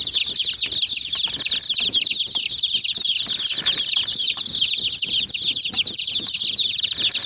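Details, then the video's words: Many domestic chicken chicks pecking at a small white toy jeep, giving a dense, unbroken chorus of high, thin peeps that overlap constantly, with faint low tapping and knocking beneath. "Murgi Chicks Chirping Sounds"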